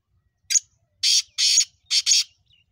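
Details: Black francolin, known locally as pahari kala teetar, giving its rasping five-note call: a brief opening note, two long grating notes, and a fast final pair, followed by a faint short note at the end.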